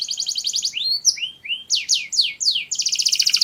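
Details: A canary singing as part of mating: a fast buzzy high trill, then loud separate swooping whistles descending in pitch, ending in another rapid rolling trill.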